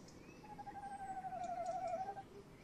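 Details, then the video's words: Tawny owl male in a nest box, evening of 30 May 2015 with the female close by, gives a steady quavering trill lasting nearly two seconds, slightly dipping toward its end, over faint background hiss. "Bosuil M in de kast V buiten uilen lang te horen"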